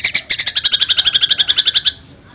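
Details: White-rumped shama song meant to make other shamas answer at once. A steady, fast rattle of bright, high notes runs about ten per second for nearly two seconds, then stops abruptly.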